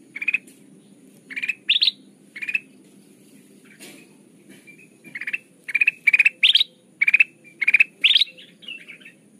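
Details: Kutilang emas, a bulbul, singing, used as a lure for trapping: lively clear chirps in short clusters, including rising upswept notes, separated by pauses, with a soft low background rumble.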